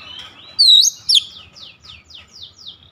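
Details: Oriental magpie-robin with beak wide open: one loud rising swept whistle and a short sharp note, followed by a fading series of quick descending high notes repeated about every quarter second.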